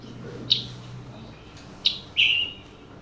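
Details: Scarlet Tanager, a West Virginia forest breeder, gives its distinctive chipper call, played over a speaker: three sharp, high notes over about two seconds, the last longer and burry like a hoarse chip-burr, faint background hum.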